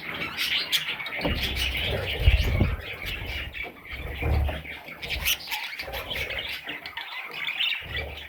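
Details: Parrot chicks squawking and chirping in a busy chorus, broken by heavy low thumps and shuffling sounds.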